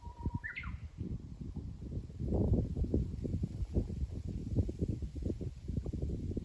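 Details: Japanese bush warbler singing: a level whistled note that breaks into a quick rising and falling flourish in the opening second, heard under strong, steady rumbling wind noise.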